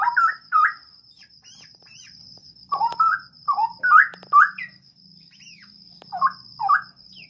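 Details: Captive Straw-headed bulbul kept in a breeding aviary, pouring out bubbling, gurgling warbles in quick paired notes, loud bursts separated by brief pauses, over a constant thin high-pitched hum.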